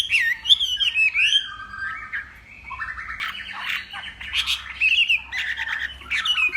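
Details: Contest song of a northwest Vietnamese Hwamei at morning practice, a loud, varied stream of harsh squawky notes mixed with clear sliding whistles, with a brief quieter pause midway.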